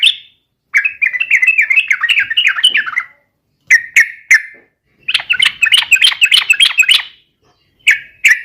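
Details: Singing to provoke rivals, a yellow-vented bulbul delivers repeated bursts of quick, bubbly chattering notes, separated by short silences and a few isolated sharp chirps.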